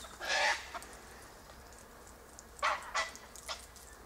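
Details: Harsh, broadband screeches from Sulphur-crested Cockatoos feeding on silky oak seed pods: one long rasping cry, then a quiet gap and three shorter screeches in quick succession.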